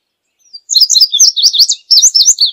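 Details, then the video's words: Indigo bunting song: a bright, high jumble of quick paired warbled notes and slurred sweeps, delivered in two rapid bursts with a brief pause between, clean and without other sounds. "Azulejo Indigo Canto! Llamado! Sonido! Cantando! - Indigo Bunting Song - Passerina Cyanea"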